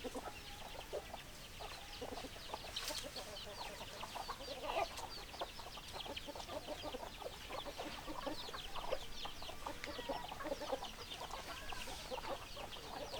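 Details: A flock of hens clucks continuously: a busy, steady stream of short overlapping clucks at an even level throughout, with no clear crow, over constant background hiss.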